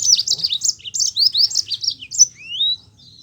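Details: Rolling, energetic song of a Yellow-fronted canary, a lure recording meant to get lazy Mozambique canaries singing: fast chains of high chirps and twittering phrases, ending in a long rising whistle and a thin fading note.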